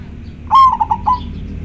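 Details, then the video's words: Local zebra dove, majapahit song style, delivering one phrase after a short pause: a held clear coo followed by three rolling notes, over a low rumbling background. "Perkutut lokal gacor sangat jernih majapahit suara nya bikin adem"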